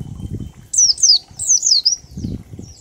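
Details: Oriental white-eye singing in ngalas style, 1234 beats, used to coax other birds into song: a short chain of thin, falling whistled chirps over low rumbling background noise.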